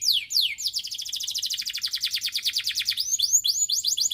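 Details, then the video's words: Canary song used to prompt other canaries to sing: two sharp falling whistles lead into an extended rapid trill of repeated high notes, closing with quick arched chirps. "Particularly stimulating the sounds of canaries"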